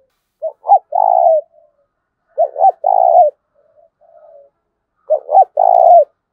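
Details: Spotted dove cooing, used to train and lure doves: three phrases about every two and a half seconds, each two short rising notes and then a long, even, mid-pitched coo, with soft quiet murmurs between them.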